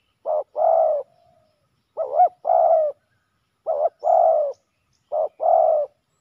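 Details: Spotted doves, males, clashing hard on the ground beside a decoy; four paired coos, a brief quavering note followed by a fuller descending croo, roughly every one and a half seconds, no other sounds.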